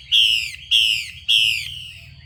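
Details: A female Chinese hwamei gives three loud rasping notes, each sliding downward and trailing off, spaced about half a second apart. The calls are meant to rouse males into singing. A faint low hum runs underneath.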